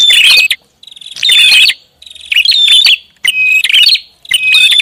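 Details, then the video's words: Prinia lure sound. Four loud bursts of crowded, shrill chirping arrive about once a second, each followed by a short silence. "SUARA PIKAT BURUNG PRINJAK ATAS RIBUT"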